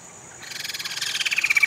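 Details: Sumatran laughingthrush, one of two pairs of rescued, formerly trapped birds held in rehabilitation cages on Sumatra before release: a harsh, rapid pulsed chatter, swelling in loudness and speeding up over about a second.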